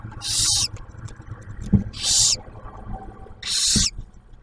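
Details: Barn owl nest near Oak Harbor, Ohio, during the owlet's first meal delivered by the male; three broad, raspy hisses about 1.7 seconds apart, with soft knocking and rustling sounds from the nest between them.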